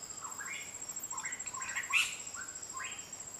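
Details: Black sunbird in Fakfak, Papua Barat, recorded handheld: a run of short, thin chirping phrases that rise and fall, about five bursts in three seconds, with a faint steady high electronic whine behind.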